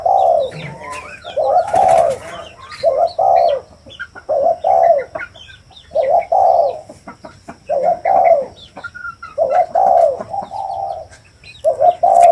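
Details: A spotted dove coos steadily through twelve seconds, with many short mellow hooting phrases in a loose, repeating rhythm and faint chirping of other birds around it.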